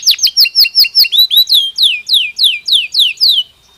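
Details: Belgian canary singing naturally, a loud rhythmic phrase of sharply descending sweeping notes repeated steadily, first quick then slightly slower, ending abruptly in silence.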